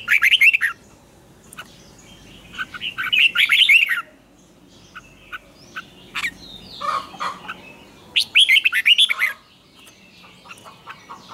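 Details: Red-whiskered bulbul morning song recorded as a lure for training birds, in the strained double twisted-note style. Three strong bouts of quick, bubbling notes alternate with softer scattered chirps.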